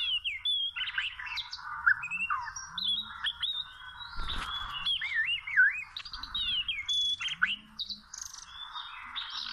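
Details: Trapping scene with small ropes; a wild Oriental magpie-robin pours out looping, warbled whistles and sharp upslurred notes in a continuous varied song, with a single low thump midway.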